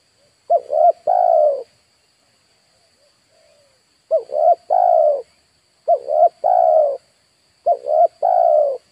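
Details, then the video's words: Captive spotted dove used as a lure to draw in wild birds, cooing in phrases of two short rising notes then one longer drawn-out note, repeated about every two seconds with a brief pause after the first phrase; faint steady whine above. "DERKUKU/TEKUKUR PIKAT DI HAJAR BURUNG LIAR"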